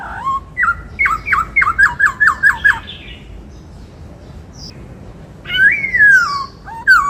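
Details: Rapid string of about ten sharp, downward-sliding whistled notes from a white-cheeked laughingthrush singing the 'bắt cô trói cột' style, a pause, then a long arching whistle and a final note.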